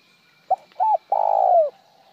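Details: Plain spotted dove coo without the ending note: a clipped first note, a paired coo, then a drawn-out throbbing coo that dips at its close, with nothing after it.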